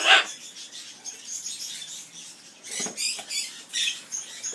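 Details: Aviary Amazon parrot performing its skimmeradinkadinkadink song, with scattered harsh, clicky squawks and raspy high bursts, including a sharp loud squawk at the start and several choppy notes later.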